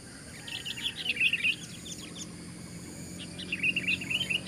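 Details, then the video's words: Fighting sooty-headed bulbul calling out loudly against four rivals at once: two bursts of quick, high twittering and chirped notes about three seconds apart, with faint background hum. "Dengan suara lantang Rossi menggber lawan 4 lawan 1"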